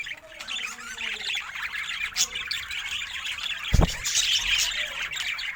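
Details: ['Budgerigar shown looking happy: steady twittering chatter with a single dull thump partway through.']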